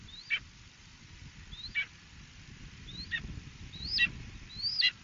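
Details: Five loud, downslurred 'kee-ah' screams from a Red-shouldered hawk in Ithaca, New York, 2018, spaced about one to one and a half seconds apart, over a low rumbling background.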